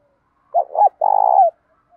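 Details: Spotted dove phrase for training and provoking doves, with a 'đồng' voice style touched by 'thổ': a double hooting start, a brief gap, then a long, buzzy, trembling coo with a falling tail.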